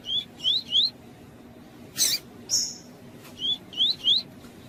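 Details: Lined seedeater giving short rising whistled "tui tui" notes in two groups of three, with a couple of harsher buzzy bursts between them; the song is used to warm up and train captive seedeaters.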